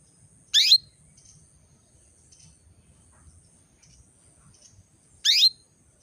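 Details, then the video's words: Female canary call aimed at getting males into breeding condition: two loud upward-sweeping chirps about four and a half seconds apart, with faint high notes and low hum between them. "PANCINGAN KENARI BETINA MEMANGGIL JANTAN"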